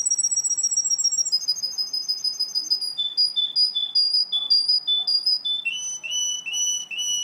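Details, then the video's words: Russian canary in song: rapid high trills step downward through several pitches, followed by clipped, repeated chirping phrases and slurred notes that drop in pitch, delivered in a continuous bright stream. "russian canary"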